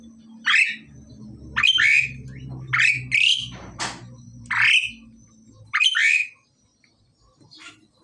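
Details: Harsh rising squawks from a male and female pied myna during pairing, about seven loud bursts at irregular intervals, with a broadband click near the middle and a low mechanical rumble underneath.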